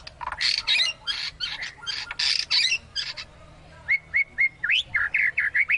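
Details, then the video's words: Agile, aggressive-styled white-rumped shama of super stock opens with harsh scratchy squawks and chatter, then shifts to a run of clear, short whistled notes repeated quickly, some rising and looping, over a faint low background hum. "Kelincahan MURAI BATU SUPER dalam berkicau"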